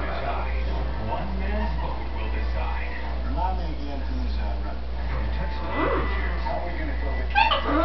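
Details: A pet female green-winged macaw (Ara chloropterus) talking when she thinks no one is in the room: rough, speech-like phrases with raspy, throaty tones, rising and falling unevenly over a steady low hum.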